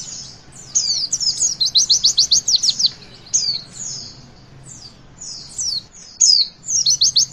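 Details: Javan white-eye song played to stimulate young birds to sing: fast high twittering bursts, rapid repeated sharp notes in quick runs, pauses between phrases, quiet background.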